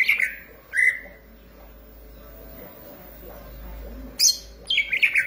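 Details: Green leafbird singing vigorously, giving two clear downslurred whistles, a long quiet stretch with faint background hum, then a quick burst of high chirps.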